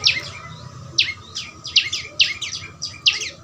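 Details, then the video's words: Young prinia chirping in quick doubled notes, high and squeaky, repeated about every half second, with a faint steady tone and low hum behind; recorded in nature to prompt a kept bird into song. "Burung prenjak lumut suara asli alam"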